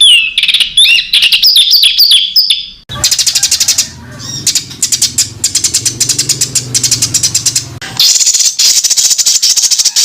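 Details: Songbird master recording used to teach contest birds, a dense rapid-fire song. Spliced sections: high whistled trills and slurred notes, then fast repeated sharp chips over a low hum, then a bright continuous warble, with abrupt cuts between.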